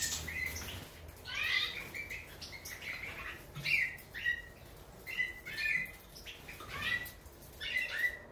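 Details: European goldfinch, subspecies major, delivering short twittering phrases of bright chirps, each burst repeated roughly every second with quieter twitter between.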